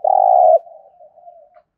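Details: Spotted dove from Đồng Nai, Vietnam, in competition cooing, thổ voice style: one long, steady, mid-pitched coo lasting about half a second, trailing off into a soft, low murmur.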